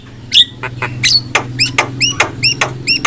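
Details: Javan myna training song: a series of short, squeaky upward-hooked notes repeated about every quarter second after a few sharper chips, over a steady low hum.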